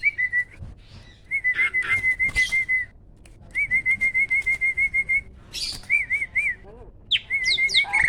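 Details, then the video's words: Champion caged starling singing in the loud rapid 'tembakan' manner: long strings of identical whistled notes repeated several per second, broken by short gaps, scratchy interjections and a few sharp descending whistles. "SPEED TEMBAKAN LANTANG"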